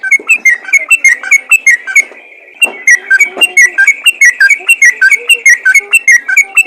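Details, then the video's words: Sooty-headed bulbul calling to draw responses from other bulbuls: steady stream of bubbly whistled notes with one short break, carried over a faint continuous tone. "PANGGILAN BURUNG TRUCUKAN ROPEL GACOR FIGHTER||TRUCUKAN LAIN PASTI LANGSUNG IKUT BUNYI"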